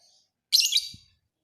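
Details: ['A single piercing, harsh chirp of about half a second from a fighter lovebird used for training other birds. A faint higher chirp comes before it and a soft low thump after it.']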